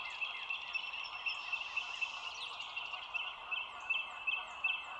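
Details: Overhead nest camera at Dulles Greenway, bald eagle, 07:16 on 25 March 2022; scattered high piping notes with brief louder chitter bursts near the end, thin whistles of other birds and a continuous background hiss.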